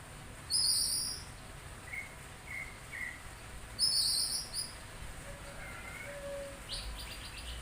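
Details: Oriental magpie-robin responding at once to a sound it hears: two loud harsh, buzzy high bursts about three seconds apart, short level whistled notes between them, a brief rising whistle and a faint low note later, over steady background hiss.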